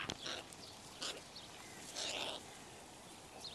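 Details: Young crows, an unusually large late brood gathered at a zoo window and squabbling among themselves; two harsh, rasping broadband calls about a second apart, with brief higher chirps between and steady background hiss.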